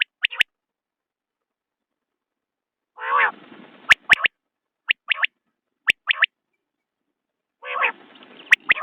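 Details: Common quail call series: crisp triple-note phrases spaced roughly a second apart, framed by two rough, buzzy bursts, one near the start and one near the end. Nothing else is heard in the quiet background.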